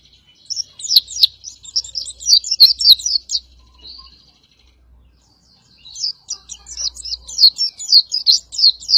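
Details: Oriental white-eye of the dakun variety, singing as a master for training contest birds. Two long bouts of quick, bright, high-pitched chirping and twittering are split by a short thin note and a near-silent gap. Faint low rumble underneath.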